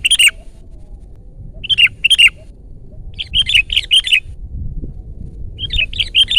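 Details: Sooty-headed bulbul singing loudly and persistently, offered as a lure and tutor recording for birds: bright chirpy notes in quick clusters of two to five, bursts spaced one to two seconds apart, over a faint low rumble.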